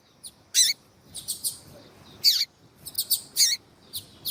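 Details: Double-collared seedeater of the 'tuí tuí' song type, with a female calling, played to stimulate caged males. Scattered sharp, high chirps and brief buzzy notes come in irregular bursts with quiet gaps.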